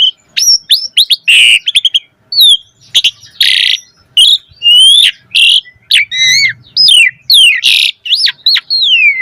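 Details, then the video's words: Asian pied starling pouring out a busy, varied song meant to lure other starlings into singing: sharp downslurred whistles, broad scratchy bursts, and looping up-and-down slurs follow one another rapidly for nine seconds. "Suara Jalak Suren Gacor Full Isian Auto Respon buat Pancingan Burung Jalak Agar Gacor Isian Mewah"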